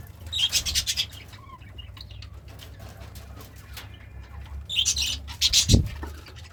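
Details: Pet budgerigar, described as happy while eating greens, giving bursts of scratchy, buzzy chatter near the start and again near the end, with quiet clicks and low rumbling background noise between.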